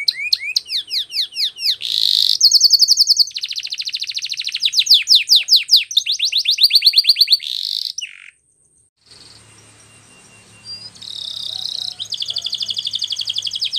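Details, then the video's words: Canary singing a training song: loud, fast rolling trills and rapid repeated high notes shift from tour to tour, with a short pause before another bright, even trill resumes. "Canary singing Training Video"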